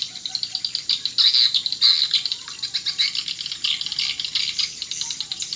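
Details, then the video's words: Swiftlet calling sound for attracting swiftlets: rapid rattling chirps in quick pulses, with a few louder buzzy bursts standing out among the steady chatter. "SP BURUNG WALET"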